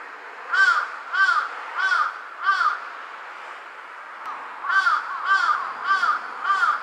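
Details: In Japan on 23 August 2023 at about 7 am, a large-billed crow perched on a power line calls in an altered voice: two runs of four harsh, arched caws, about one every 0.6 seconds, with a short pause between runs.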